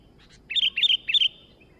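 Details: Sooty-headed bulbul singing energetically: a clear phrase of three quick, bubbling, down-slurred double notes, preceded by faint soft chirps, with no other sounds.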